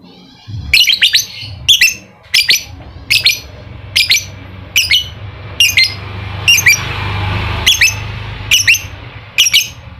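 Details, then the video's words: Ngekek song of a lovebird, meant to coax a quiet lovebird into active singing: a long run of piercing, raspy squawks about every 0.7 seconds, with a low background hum. "Pancingan Lovebird malas bunyi, agar aktif Ngekek"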